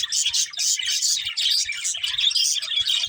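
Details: Budgies twitter in quick pulsing bursts of high, buzzy chirps and warbles, rising and falling several times a second, with faint soft taps below.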